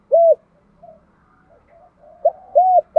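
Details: Spotted dove contest cooing, Thổ pha đồng voice: a loud rounded coo, then soft low murmured notes, and near the end a clipped note followed by another rounded coo.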